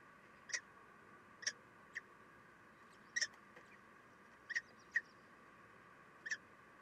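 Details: Common kestrel nest with a female feeding the chicks, 3 June 2021. Short, sharp, high chipping notes come in brief bursts, seven times in about seven seconds, at uneven intervals over a steady low hum.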